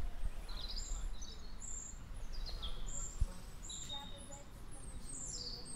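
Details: Birdsong on the green hill of the Martinskirche in Hannover-Linden, Germany, on Pentecost Sunday morning, 31 May 2020, around 10:30, recorded on a handheld recorder. Several birds give high chirps and short trills over a steady low rumble, with faint voices.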